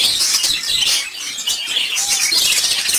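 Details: Several caged lovebirds chatter at once: a dense, shrill stream of high twittering chirps with no pauses and no other sounds.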